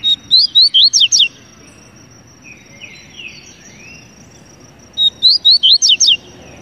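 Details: Double-collared seedeater song: a rapid string of six bright, high, sweeping whistled notes, repeated after a pause of nearly four seconds, with quiet distant chirps in between and a constant shrill background tone.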